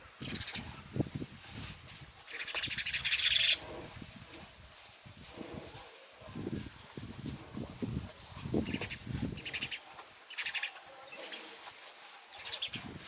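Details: House sparrow chirps: a loud, dense burst of rapid bright chirping early on, followed by scattered shorter chirp groups spread across the rest of the recording, with steady low outdoor rumble underneath.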